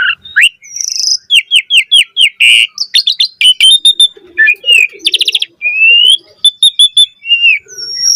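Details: Black-collared starling in full, energetic song rich with mimicked phrases, used to prompt other starlings to sing: a rapid run of rising whistled notes, then buzzy, harsh bursts and clear slurred whistles in a dense, varied stream.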